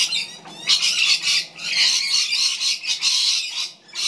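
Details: Magpie chick fed by its mother utters loud, harsh, hissing rasps in long bursts separated by brief pauses, swelling and fading in intensity.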